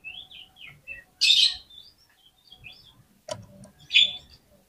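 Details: Oriental magpie-robin singing a fighting song to rile up rival birds: soft, slurred whistles interrupted by two louder harsh, rasping bursts and a sharp click, with low background rumble.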